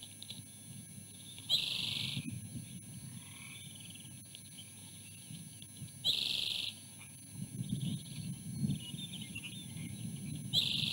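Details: Female osprey on the nest with her own dinner, warning off her mate as he keeps reaching in for a bite: three loud, high, rapid chattering bursts of chirped notes, each about half a second long and spaced about four to five seconds apart.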